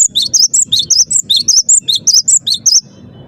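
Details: Cinereous tit (gelatik batu) singing persistently, a gacor performance: a run of about a dozen sharp, high, whistled notes that alternate between two pitches in quick, bouncy succession, then stop abruptly, over a low background rumble.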